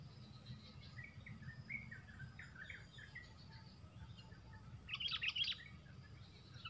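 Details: Sooty-headed bulbuls in a four-against-one fight with a fighter bird during bulbul trapping with a grip trap: scattered short chirpy notes, then a louder harsh burst of chattering near the end, over steady low rumbling background noise.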